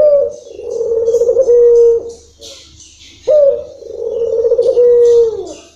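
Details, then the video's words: Two long, low, trilling coos from a local puter dove in long rhythm, each closing with a pure held tone and a downward slur, separated by a short quiet gap. "puter lokal irama panjang bikin syahdu"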